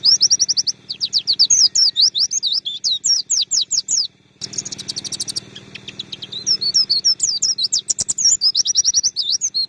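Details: Long stretch of Oriental white-eye song meant as training material for songbirds: strings of quick, piercing chips and slurred upward whistles. A brief break comes near four seconds, then the lively high chatter resumes and continues to the end.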